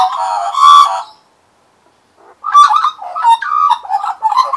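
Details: Australian magpies serenading a person they perch on, recorded in 2015. A loud, fluty warble stops for about a second of silence, then a quick run of bubbling, yodelling notes follows.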